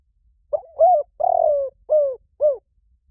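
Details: Low, hollow cooing from a spotted dove used as a lure call, five notes in one phrase with a long descending centre note and two brief closing coos, no other sounds.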